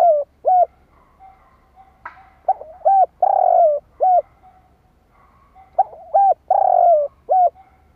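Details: Decoy spotted dove calling to stir up wild doves, repeated low hoarse coo phrases: clipped double notes, a sustained sliding coo, then a brief final note, with a faint click near two seconds and a quiet background.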